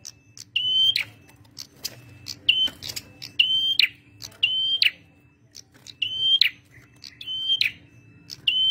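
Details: A male prinia sings in lively voice. Whistled notes with buzzy tails repeat irregularly, roughly every second, with brief high ticks between phrases. A faint steady low hum persists throughout.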